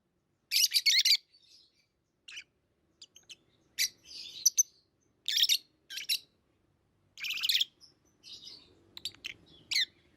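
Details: Pet lovebirds chattering with loud, raspy chirp bursts mixed with softer squeaks and twitters, irregular and busy, over faint low background noise.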